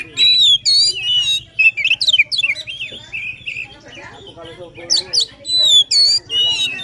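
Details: Lively 'gacor' song of an Oriental magpie-robin, played to encourage a reluctant bird: clear rising and falling whistles alternate with harsh buzzy trills in short loud phrases, with a low background hum.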